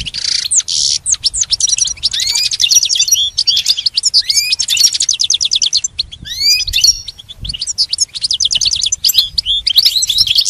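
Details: Goldfinch song for training a caged pet bird: a long, nearly continuous run of quick high twitters, buzzy trills and curved whistled notes, delivered in rapid rhythmic phrases.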